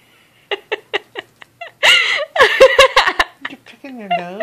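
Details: A pet Goffin's cockatoo gives its regular bedtime "lecture": short clicking notes, then harsh speech-like babble, ending in a drawn-out nasal note; it stops when the owner approaches.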